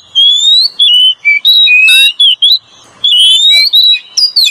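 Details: Male and female Oriental magpie-robin, lure song: clear rising whistles and warbling notes in two phrases separated by a short pause, with a brief harsh rasp.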